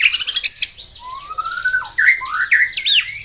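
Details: White-rumped shama, captive, morning song meant to rouse rivals: rapid scratchy notes, then long rising whistles and swooping, twisting phrases, loud and rich.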